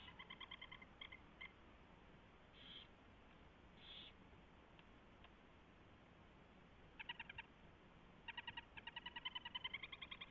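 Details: Owl at the nest during a mouse delivery and feeding, recorded 24 February 2016 at 4:21 AM; rapid bursts of short, nasal, harmonic notes alternate with breathy hissing rasps, over steady low background hum.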